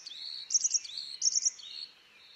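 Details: A tit sings high, quick triple notes with lower drawn-out whistled slurs between them, two phrases in close succession.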